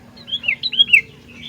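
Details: Sooty-headed bulbul giving one fluid run of five or six slurred whistled notes, each gliding down in pitch, rapid and melodious, over a faint low hum.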